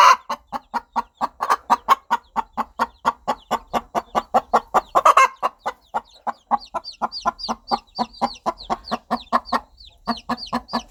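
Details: Long unbroken series of fast, even clucks from a hen calling her baby chicks, one harsher note near the middle, with chicks peeping high above in the second half.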